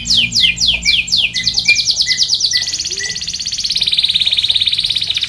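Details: Canary tutor and lure song for training other canaries: a few loud, falling whistles, then a fast, high, rolling trill that continues as an even, pulsing buzz to the end.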